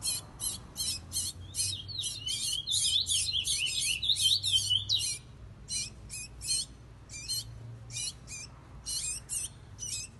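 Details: Curió, the chestnut-bellied seed finch of Brazil, singing a long sequence of sharp high chirps repeated about twice a second, broken by a fast warbling trill, then more spaced clipped notes.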